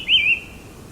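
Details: White-whiskered (Formosan) laughingthrush in the subalpine Hehuan Mountains of Taiwan at high altitude in cold mountain air sings one bright, clear whistled phrase that wavers up and down and fades into a thin trailing tone. The background is quiet.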